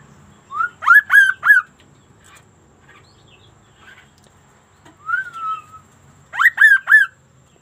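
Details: Sunda laughingthrush (kaso-kaso) in vigorous, unusual song: a soft rising whistle leading into three loud arched notes, quiet softer warbles, a long drawn falling whistle, then another three-note burst.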